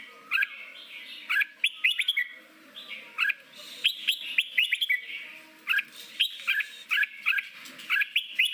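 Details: Training song in the forest-voice style, meant to bring wild-caught red-whiskered bulbuls into fast contest singing; crisp, rising whistled couplets and triplets spaced irregularly, about one every second, with low background murmur.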